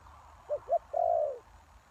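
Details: Spotted dove used as a lure for wild doves gives one phrase: two soft short notes followed by a longer drawn, gently falling coo.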